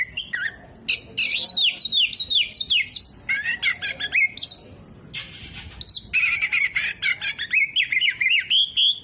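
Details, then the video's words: Oriental magpie-robin singing vigorously with tail spread, mimicking hummingbird, bearded bird and lovebird: a loud, varied run of high whistled slurs, rapid sweeping notes and sharp chirps, with brief pauses and a rising, warbling phrase at the end. "KACER GACOR BUKA EKOR TEMBAKAN KOLIBRI, JENGGOT DAN LOVE BIRD"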